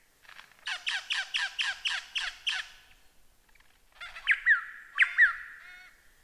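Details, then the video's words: Masteran recording of lyrebird song: a rapid run of about eight rhythmic, harsh repeated notes, a pause, then sharp whistled upslurs and a sustained tone. "Masteran Burung Lyrebird"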